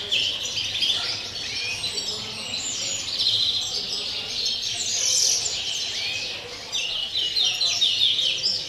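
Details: Pure 'campero' song of a European greenfinch, 30 December: long run of rapid tinkling trills and twitters, bright and high, briefly dipping near the end before resuming.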